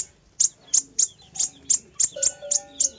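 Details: Sunbird song used as a lure, heard as spaced, very high, thin chips at about three per second over a faint steady hum.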